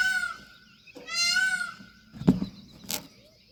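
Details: Peahen of the Indian peafowl giving two loud, nasal, wailing cries with a bright ringing tone, each under a second, followed by a few sharp knocks and a short faint whistle.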